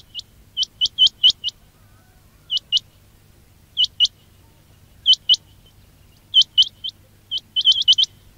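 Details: Quail trapping call: clean, high, hooked whistle notes in pairs and small groups every second or so across eight seconds, ending in a quick cluster of four or five.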